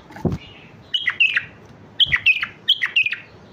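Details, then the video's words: Mandali bulbul singing, a recording meant for teaching chicks: three lively phrases of sharp, slurred whistles that dip and rise, repeated about every second after a low thump at the start. "اقوى تغريد بلبل مندلاوي لتعليم الافراخ"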